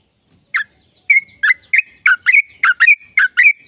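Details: After a short pause, a sooty-headed bulbul launches into a long "ropel" trill meant to spur other bulbuls into song: bright, bubbly two-part chirps quickening steadily, with thin whistled glides between them.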